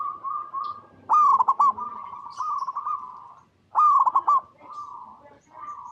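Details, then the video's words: Local zebra dove (perkutut) in full, lively song, recorded in natural habitat: loud rolling coo phrases near the middle pitch range, each opening with a stuttered burst then a held wavering coo, two phrases about three seconds apart. "PERKUTUT LOKAL GACOR Suara Paling AMPUH | Pancingan Semua Burung Perkutut Bahan Agar Nyaut Bunyi"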